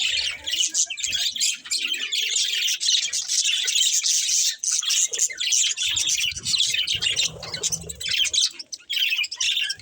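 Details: Budgerigars chirping continuously, a dense run of bright warbling and chattering notes with short harsh squawks, several birds calling over one another with hardly a pause; faint low thumps beneath.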